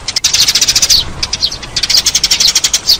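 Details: Eurasian tree sparrow calls used as a lure, with quick high-pitched chirps running together in two busy bursts and a brief pause between them.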